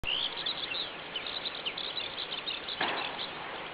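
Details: Eurasian skylark singing at about 5:30 in the morning on 25 May 2010 over farmland, rising into the sky as it sings; a continuous stream of high chirps and trills over steady background hiss, with one brief noisy burst near the end.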